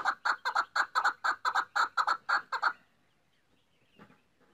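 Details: Maskati voice of a female chukar partridge: around thirteen gruff chuk notes delivered quickly over nearly three seconds, then quiet with only a faint low rustle afterwards.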